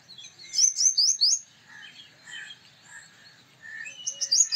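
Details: Male Purple Sunbird giving a quick burst of high, ringing metallic notes, then quieter mixed chirps and background bird calls.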